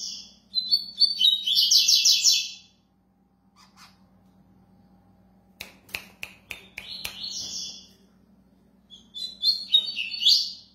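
A double-collared seedeater sings in three bursts of fast, high, buzzy twittering notes, one burst separated by a series of sharp clicks.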